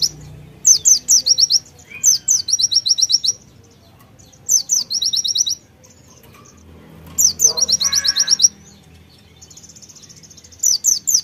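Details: Vigorous white-eye song with konin fill-in phrases: repeated bursts of piercing high downslurred chirps merging into fast trills, phrases every one to two seconds, brief high buzzy trill near the end.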